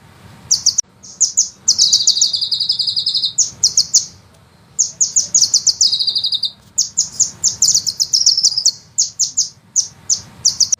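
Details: Sunbird on a songbird-training master recording with long rolling 'shots': almost continuous very high twittering, broken by two long buzzy trills and brief pauses.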